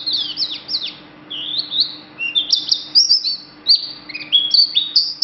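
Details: Green bird singing continuously: a fast medley of high whistles and sharp downward-slurred notes with brief rising phrases, over a constant low hum.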